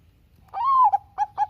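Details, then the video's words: Bangkok-type zebra dove singing as a lure for reluctant doves: one long, mellow note that swells upward then sags, followed by two short clipped coos, clean and loud against near silence. "suara Kutut Bangkok Gacor"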